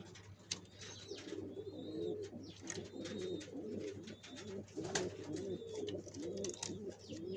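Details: {'text': 'Pigeons fixing a nest to lay eggs fill the air with continuous overlapping low coos. Above them, small birds give repeated short high whistled chirps, with occasional clicks.'}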